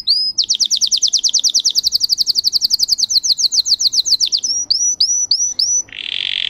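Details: Bred for song, a Russian canary pours out a very rapid high rolling trill for four seconds, then a few spaced upswept notes and a closing harsh buzzy rattle.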